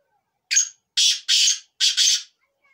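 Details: Black francolin call: one short rasping note followed by two paired bursts of loud, coarse, buzzy sound, all within about two seconds.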